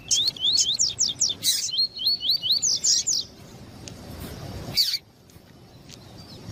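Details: Double-collared seedeater, a male with a female calling to excite him, as used by tournament breeders: a fast, even series of about twenty rising whistled notes over three seconds, one loud chip later, then quiet.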